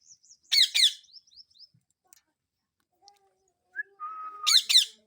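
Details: Indian ringneck parakeet in the morning: a few thin high whistles, two harsh rasping squawks, a short silence, then a steady level whistled note followed by two more rasping squawks.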